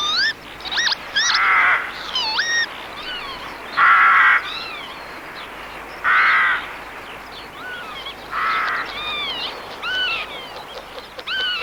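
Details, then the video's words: Northern lapwing male screaming wheezy, rising-and-falling 'pee-wit' alarm cries high above a water-meadow nest where the hen sits, protecting it from a carrion crow; harsh crow caws cut in between. "High above, the male screams his alarm. His instinct is to protect the nest."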